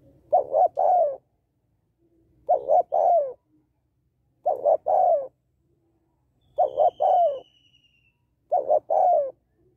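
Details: Female spotted dove calling to stimulate males: five cooing phrases roughly every two seconds, each a quick stuttered double or triple note followed by a longer, falling, mellow coo, plus one faint thin sweeping whistle midway.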